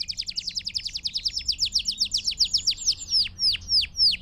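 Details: Belgian canary song to train young birds: a fast rhythmic trill of downslurred notes, about five per second, slowing into wider spaced, sweeping whistles at the end.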